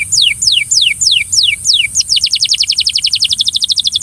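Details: A Belgian canary, coaxing another canary to sing, gives high, bright descending slurs about three per second, then breaks into a fast rolling trill of rapid repeated notes.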